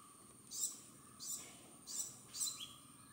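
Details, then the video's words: Male purple sunbird, recorded very close, giving four very high, thin, sharp notes about two-thirds of a second apart in courtship song or call, over a faint steady background hum. "PURPLE SUNBIRD VOICE, SONG,CALL| COURTSHIP SONG"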